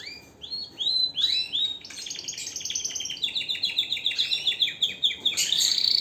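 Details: Pet canary in full song: clear upslurred whistles that run into a long, rapid trill of repeated notes, ending in a sharp, high buzzy flourish.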